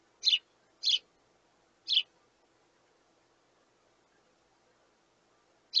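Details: Hungry sparrow chicks begging their parents for food, three high chirps in quick succession, then a silent gap of nearly four seconds before one more chirp at the end.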